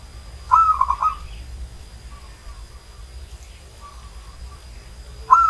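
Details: Old zebra dove, a local bird from Banyumas, gives one bright cooing phrase: a clipped opening note followed by a quick string of rolling beats. Fainter partial coos follow, then a fresh phrase begins at the end over a low rumble.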